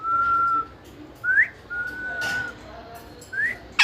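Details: Parrot whistling: clear steady tones alternating with short upward-sliding whistles, plus a brief harsh burst at the end.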